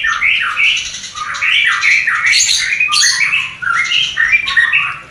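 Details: Mating sound of a white-rumped shama, played to raise breeding desire in a new pair that has not yet produced: rapid, loud run of short whistled notes and rasping, chattering bursts without a break.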